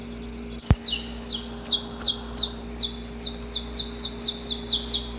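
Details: Wild male saffron finch, recorded in nature, singing its long pre-dawn courtship song toward a female: after a sharp click, about twelve high, steeply falling notes, repeated roughly twice per second in a steady series.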